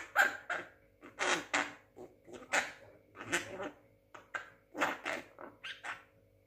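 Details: Six-month-old Javan myna imitating talk: about a dozen rough, throaty syllables in irregular clusters, some short and clipped, others drawn out and scratchy, indoors.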